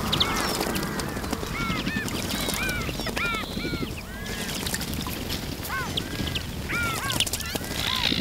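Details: A group of Iberian magpies splashing in a fountain while bathing; frequent overlapping arched, slightly nasal call notes sound throughout, some doubled, against continuous water noise.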